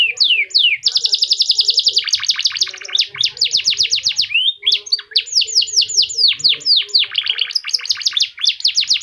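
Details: Loud, continuous song from an F1 canary with a unique variation, used as a lure for other canaries: rapid rolling trills, buzzy stretches and quick sweeping notes, several per second, with no pauses.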